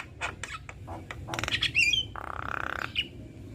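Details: Male and female black-winged starlings in duet, giving a burst of harsh clicks and squawks, a sharp whistled slur, and a buzzy nasal rasp lasting under a second.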